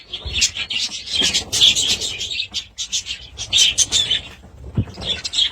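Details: Budgies pouring out loud, continuous, high-pitched warbling with rapid chirps and squeaky trills, barely pausing throughout.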